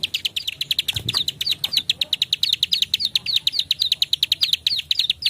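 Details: A bar-winged prinia gives a fast, unbroken run of sharp, high clicking chips, about seven or eight a second, with one faint low thump early on. The recording is used to lure prinias.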